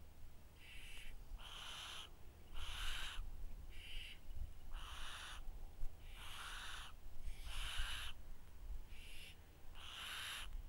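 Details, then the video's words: Barn owl close to a trail camera in Cheshire gives about ten harsh, hissing screeches, each under a second, repeated roughly every second over a low rumble of background noise. "Barn Owl"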